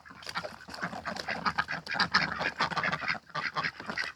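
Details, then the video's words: Springtime backyard domestic ducks during mating; a busy tangle of raspy, overlapping quacks with some higher squeakier notes, continuous with barely a gap. "봄!!!이 오네요. 집오리가 교미를 하네요."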